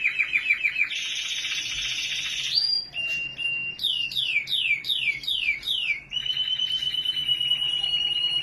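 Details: Canary in Norway singing a varied song: a rapid trill, a steady buzzy tour, a series of sharply falling whistled notes repeated about twice a second, then a sustained rolling trill.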